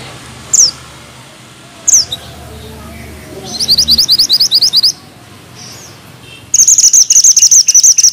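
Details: Mountain bushchat (mantenan gunung) singing in a tight rolling style with sharp notes: two shrill downslurred whistles, then a rapid rattle of high chips, a brief pause, and a long, dense, buzzy trill of very fast repeated high notes.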